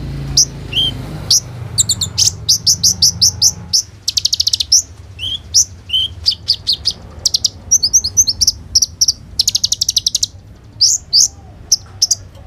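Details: Kolibri ninja sunbird recorded on an Oppo A37f phone, singing 'roll tembak' filler phrases as a lure for konin. Quick sharp high notes, machine-gun trills and twittering runs continue over a soft low hum.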